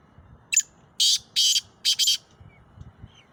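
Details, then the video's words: Black francolin, a strongly calling Sindhi bird, giving one harsh phrase: a short sharp note, then two grating, buzzy bursts and a final doubled rasping note, all within about one and a half seconds over a faint low rumble. "کالا تیتر کی اواز مست بولار"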